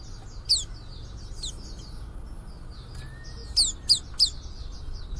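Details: Young white-eye beginning to sing, a few loud, sharp, high down-slurred notes standing out over fainter, similar chirps continuing steadily in the background, with a soft hum underneath.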